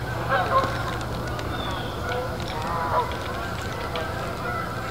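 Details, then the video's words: Distant migrating geese near Freeport, northern Illinois, in early October give scattered nasal honks, a few clustered then one more after a pause, over steady low wind or road noise. "I don't know if you can hear the geese in the background but there's a lot of migrating birds in this area especially this time of year"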